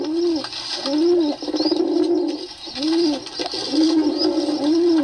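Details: Pigeon giving repeated low rolling coos, each a rising-then-falling hum about once a second, steady and clear over a quiet indoor background.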